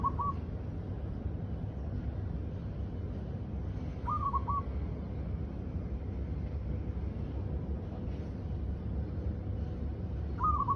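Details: A mother dove gives soft, hooting coos of a few notes, repeated every four to six seconds, over a steady low rumble of background noise.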